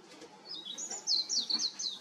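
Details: Warbling white-eye perched on a power line, giving a rapid twittering song of thin, high warbled notes that builds in loudness through the second half.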